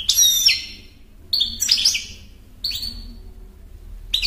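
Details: Goldfinch song in three short, tinkling bursts of rapid twittering and liquid trilled notes, each phrase about half a second to a second long, with quiet gaps between.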